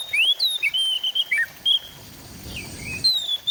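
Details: Oriental magpie-robin (kacer), East Java, recorded with an Android phone for a therapy track. Sweet whistled notes rise and fall in a quick varied string, pause briefly over soft noise, then resume with a long clear slur.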